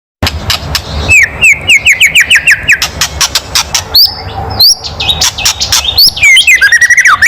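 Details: White-rumped shama giving a loud kretekan crackling call, used to provoke other birds into singing: sharp dry clicks throughout, a run of about ten short rising whistled notes, then high chirps and quick falling notes toward the end.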